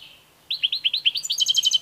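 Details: European goldfinch song: quick upslurred chirps about every tenth of a second, building into a fast, glittering trill of evenly repeated high notes, with a faint low hum beneath.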